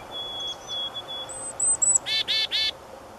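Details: Black-capped chickadee: soft thin whistles and short high notes lead into three harsh, buzzy 'dee' notes in quick succession, in a quiet outdoor setting.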